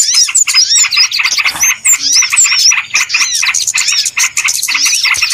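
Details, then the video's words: Small birds chattering as a trapping lure: bursts of rapid pulsed calls with descending and rising whistled arcs, short gaps between bursts, lively throughout. "SUARA PIKAT BURUNG RIBUT"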